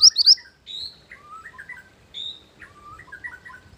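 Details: Mantenan gunung bird song used as a lure and master song: a quick burst of high sharp chips, then a mix of buzzy high notes and rolling lower warbles.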